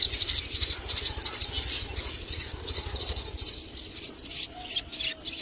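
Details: As a common myna brings a lizard to its chicks, rapid high-pitched squeaky chitters pour out almost continuously, pulsing roughly three times a second.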